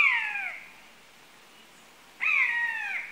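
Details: Buzzard giving two loud, drawn-out mewing calls, each sliding downward in pitch and lasting under a second, separated by about a second and a half of quiet; clean recording with no other sounds.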